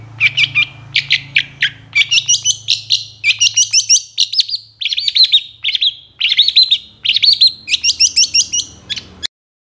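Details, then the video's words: A long-tailed shrike's varied, energetic song, used to coax sluggish shrikes into calling: quick sharp chirps, ringing whistles and twittering clusters pouring out almost without a break, with a faint low hum in the first half. "PANCINGAN CENDET MALAS BUNYI BAKALAN LANGSUNG NYAUT DAN IKUT GACOR DENGAN SUARA CENDET INI"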